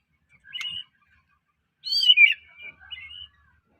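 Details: White-rumped shama from Medan, a bird used to trigger other shamas' singing: a short quiet whistle, then a louder twisting whistled phrase followed by a softer trailing note, otherwise silent.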